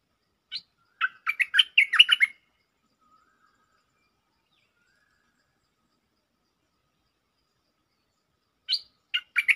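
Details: Bulbul lure song: a short opening note, then a fast jumbled phrase of bright chirping notes, a long silence of about six seconds, and the phrase starting again.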